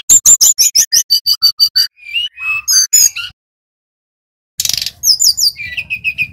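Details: Lively Bali-type brown-chested jungle flycatcher song used to prompt singing: a fast even series of sharp whistled notes, lower wavering whistles, a silent pause, then a harsh burst followed by repeated high whistles.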